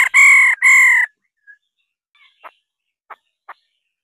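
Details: Harsh nasal rolling call of a female laughingthrush, two buzzy drawn-out bursts at the start followed by a few soft, short clicks spaced irregularly.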